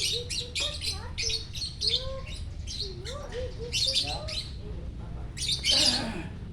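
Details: Morning song of a lovebird at Parahyangan Village, Jatihandap, Bandung; rapid twittering of short chirps and swooping whistled notes, ending in a loud harsh burst.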